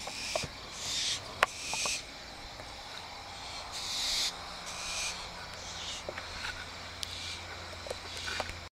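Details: Adult and juvenile barn owl at 11:30 PM; a few hissing screeches early on, then quieter with scattered clicks and taps and a low steady hum in the background.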